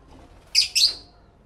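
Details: Lovebird in a stereo home recording: a single harsh, high two-part squawk lasting about half a second, otherwise quiet.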